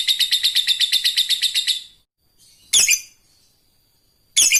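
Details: Fighter lovebird calling an opponent: a rapid high chattering trill lasting about two seconds that fades out, followed after a pause by two separate harsh, loud screeches.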